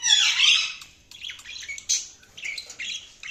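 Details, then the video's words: Budgies chirping: one loud scratchy squawk, then a fast run of softer twittering and chattering notes in quick, irregular succession. "budgies chirping sound"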